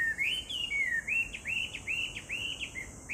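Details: Chinese hwamei singing, recorded 18 July 2019: a rapid run of loud, clear whistled notes, each sliding up or down, strung together with barely a pause, over a steady high insect drone.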